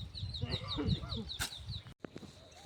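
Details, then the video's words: A small bird (kuruvi) chirps quickly behind a person talking, about four high, short, slightly falling notes a second, at a village jasmine farm. "பின்னாடி குருவின் சத்தம் சூப்பரா இருக்குல்ல"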